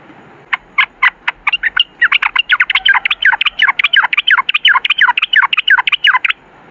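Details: Yellow-vented bulbul (trucukan) in long 'ropel' song. A few spaced chirps quicken into a dense, continuous run of rapid, slightly varied bubbly notes that lasts about five seconds.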